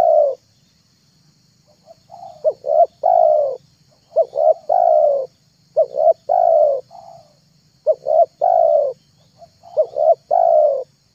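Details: Repeated calling of a spotted dove used to lure doves: about five phrases every two seconds, each two quick clipped coos then a long falling coo, softer coos in the gaps, light background hum.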